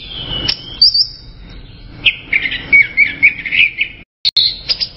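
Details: Orange-headed thrush singing a varied run of clear, high whistled phrases, some slurred and warbling, others sharp and brief, delivered in quick succession with a short silent break near the end.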